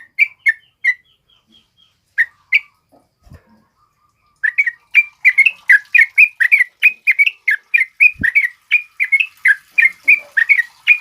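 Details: Yellow-vented bulbul (trucuk kebo) male singing steadily, used as a tutor and lure for other birds: a few scattered liquid notes, then a fast, even run of bubbling chirps about three per second. Soft thumps in between.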